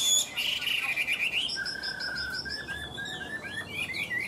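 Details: Chinese hwamei singing without pause, said to sing like a machine: varied high whistled phrases, a buzzy slurred run, a long level whistle under a quick series of repeated short notes, then sliding upturned notes to the end.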